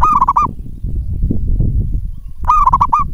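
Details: Lure song of a local zebra dove meant to make other doves answer: two brief rolling, trilled coo phrases at the start and end, separated by a stretch of low rumbling noise.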